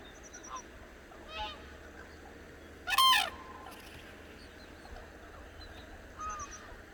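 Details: Cranes waking at dawn on the Hantan River in Cheorwon, central Korean peninsula, give one loud, harsh, rasping bugled call around the middle, with fainter honking calls before and after over a steady low outdoor hum.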